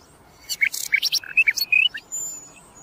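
Common Nightingale singing one quick, varied phrase of sharp whistles, chirps and buzzy notes lasting about a second and a half, over a faint background hiss.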